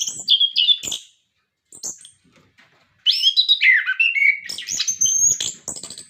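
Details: Orange-headed thrush, used for prompting captive birds, gives a few short whistled notes, a quiet pause, then a long rich run of varied whistles, slurs and high sharp notes.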